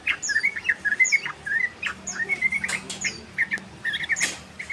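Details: Yellow-vented bulbul (trucukan) learning the ropel, a long trilling song style: a rapid, chattering run of short bubbly whistled notes, some slurred up or down, with sharper high notes mixed in over a steady low hum.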